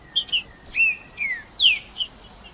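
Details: Green-winged saltator song played to warm up a cold bird, a wild bird singing in the bush: short clear whistled phrases, rising and falling slurs in bursts with sharp high chips between.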